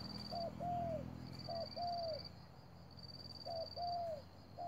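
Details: A spotted dove at a trapping site gives soft, mellow two-part coos, a short note then a longer falling one, repeated about every 1.5 seconds over a thin steady high whine.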